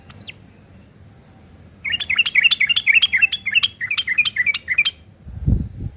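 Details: Yellow-vented bulbul's rough chattering, meant for tutoring long-tailed shrikes: a thin falling note, then a fast regular stream of scratchy chirps for about three seconds, ending in a low thump.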